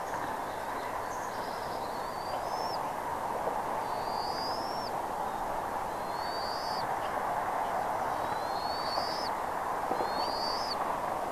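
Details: Eagle recorded at Redding on 17 April 2021, 08:15 in the morning: five thin, high, upward-slurred whistles spaced about two seconds apart, over a steady hiss of background noise.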